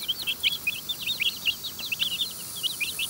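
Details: Young domestic chicks in a run, eating food from a person's hands. Many high, thin peeps overlap in a busy chorus, each a short falling chirp, with a steady background hiss.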